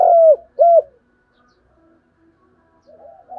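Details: Decoy spotted dove cooing to lure and provoke wild doves: two loud, low hooted coo notes in quick succession, each bending downward at the end, then near silence with a faint coo starting at the close.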